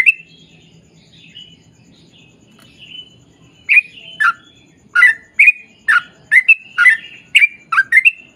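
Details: Sooty-headed bulbul singing a long rapid lure song to provoke other bulbuls into answering; after about four quiet seconds with faint distant notes, loud bubbly slurred phrases follow in quick succession, roughly two per second.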